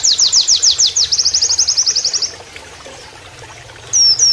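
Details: Oriental white-eye giving a canary-imitating song used for training: slower sweeping notes leading into a quick run of high repeated chips, then quiet water sound before two looping whistles at the end.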